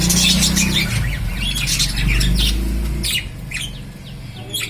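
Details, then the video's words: Lovebirds giving scattered high, sharp chirps and brief squeaky bursts, busier early on and sparser toward the end, over a low droning hum that fades after three seconds. "Love birds natural sound"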